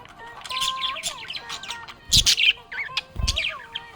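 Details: Happy budgie chirping: rapid warbled high notes in clusters about every half second, two loud scratchy bursts near the middle, with a steady low melodic tone running beneath.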